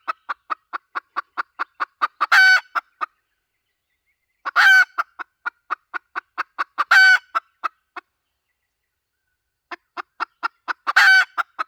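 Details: Lure call of a hen: repeated cycles of rapid dry clucking, each climaxing in a strained, loud, nasal cackle, four such bouts with short silences between them.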